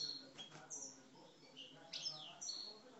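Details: Aggressive singing from caged Algerian parva European goldfinches: separate bright whistled notes, some sliding downward, and short high tinkles spaced through three seconds over a faint low drone.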